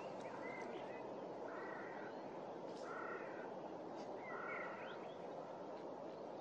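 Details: Snow goose at Starene bird station, 2023: repeated nasal, honking calls in short doubled bursts over a steady loud hiss of wind or water.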